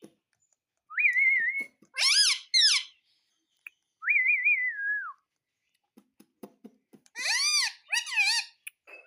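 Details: Pet parrot indoors mixing two steady whistled notes with wavering talking syllables in short bursts, soft clicks between.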